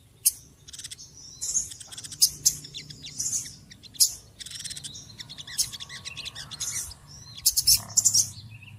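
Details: A noisy throng of small birds, trading sharp clicks and buzzy, high chatter in irregular bursts, with a faint low hum underneath.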